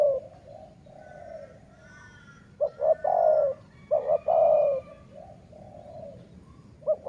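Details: Dove used for decoy luring, Sai Mueang (สายเมือง) song line: soft drawn-out coos, then two loud phrases, each opening with quick stuttered notes and ending in a long warbling coo, followed by quieter coos.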